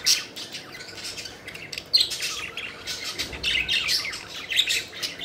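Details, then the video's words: Playful budgerigars chirp and chatter nonstop, with raspy, buzzy warbling broken by sharp squeaks and clicks. "Budgies Having Fun: Playful Birds Flying and Chirping Joyfully"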